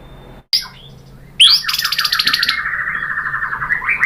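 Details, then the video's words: White-rumped shama, murai batu, singing as a lure to provoke other birds: a brief sharp note, a gap, then a loud burst followed by a long rapid trill of pulsed, slightly wavering notes that keeps going. "KICAUAN MURAI BATU bikin NYAUT ikut BUNYI jadi GACOR BONGKAR MATERI ISIAN ¦ PANCINGAN MURAI"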